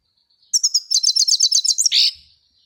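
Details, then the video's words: European goldfinch song: a quick, even series of about a dozen high, tinkling twittered notes lasting nearly two seconds, closing with a harsher buzzy note, otherwise quiet. "щегол птица пение"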